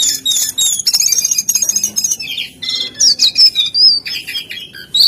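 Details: Lively jongkangan, or lesser shortwing, pouring out a dense jumble of high twittering notes, followed by loud slurred whistles repeated at a quick pace.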